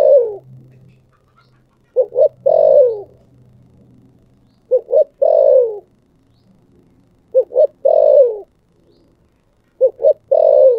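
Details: Spotted dove cooing in the 'thổ sấm' voice style: four phrases, each two short clipped coos then a long, falling, hoarse coo, repeated roughly every two and a half seconds. A faint low hum lies beneath.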